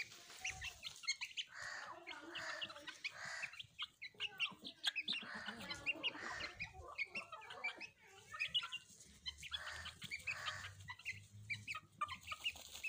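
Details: Pet hens and chicks playing together: low, rough clucks from the hens come in uneven bursts, mixed with thin, high peeping from the chicks, with scattered rustles and scratching throughout.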